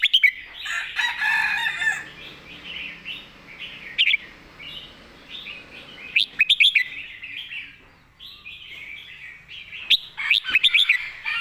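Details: Long stretch of red-whiskered bulbul 'master song', phrased clearly: repeated bursts of loud, quick whistled notes separated by softer, choppy warbled chatter from many birds, closing with a dense flurry of sharp whistles.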